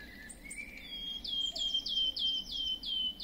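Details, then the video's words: Song of a wood warbler: a few soft rising notes, then a steady row of clear, mournful whistles. Each whistle falls a little in pitch and comes about three times a second. "Świstunka leśna . Śpiew."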